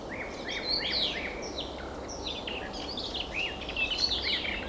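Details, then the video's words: A garden warbler, hidden in bird cherry or alder foliage, pours out a fast, unbroken, mellow warble of rich chattering phrases over a steady low rush of background noise. "Садовая славка,песня."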